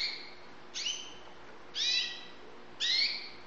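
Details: White Syrian canary young birds kept in Saudi Arabia: three separate bright harmonic notes about a second apart, each with a sharp upward-curving onset and a slightly sliding tone, over a faint steady room hum.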